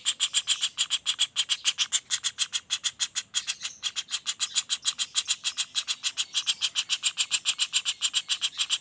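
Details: Juvenile common flameback calling non-stop, recorded as training material for other songbirds: a rapid, steady train of harsh, scratchy notes, about three to four per second, with no pauses.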